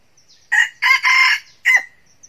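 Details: Decoy red junglefowl rooster crowing to draw in wild roosters: a single clear crow with four bursts, a brief first note, two strong harsh middle sections and a short drooping end note.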